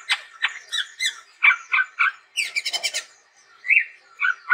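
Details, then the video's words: Vigorously singing chestnut-rumped babbler giving harsh chattering phrases, a rapid rattling burst in the middle, then a few short upslurred whistles. "SUARA BURUNG TEPUS TUNGGIR MERAH GACOR YANG UNIK"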